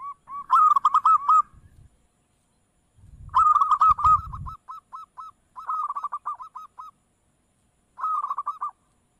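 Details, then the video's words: Zebra dove, known locally as perkutut, played to draw an answer from other doves: four phrases of fast, bubbling coos on one mid pitch, one trailing into separate clipped notes, with brief low rumbling bursts early on. "Suara Perkutut dengar langsung NYAUT"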